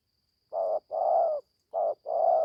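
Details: Young spotted dove just beginning to call on its first forest training trip: two rounded low coo pairs, short then long, after a brief silence, against a thin steady high whine.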